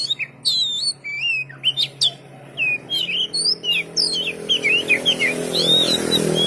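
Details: Oriental magpie-robin (kacer) delivering fast, rich song of looping whistles, sharp chips and downslurred notes; a low rushing noise swells near the end.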